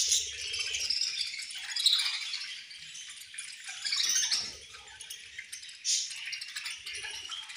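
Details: Several budgerigars chirping at feeding time, a steady wash of high chattering and squeaky warbles with brief louder bursts near the start, middle and end, and occasional soft low bumps.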